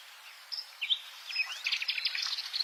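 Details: Subalpine warbler with a few thin whistled notes and a sliding upward slur, then a burst of rapid scratchy twittering.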